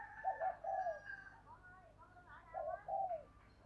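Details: Decoy spotted dove calling to draw a response. Its moderate coos are broken into paired hooting notes over a constant low hum and faint background murmur.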